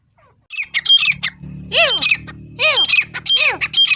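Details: Grey Francolins in Pakistan, a dog also featured, give loud, harsh, ringing calls, each note arching up and sliding down, repeated in quick bursts.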